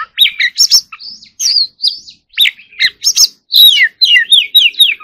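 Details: Loud, varied singing by a white-rumped shama in competition mode: clear whistled notes swooping up and down, sharp clicks and rapid trilled phrases in quick succession with short gaps.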